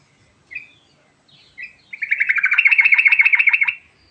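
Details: Sooty-headed bulbul singing in the rolling 'ngerol' style: two short chirps, then a fast, even trill of bright notes, about fourteen in under two seconds, in an otherwise quiet setting.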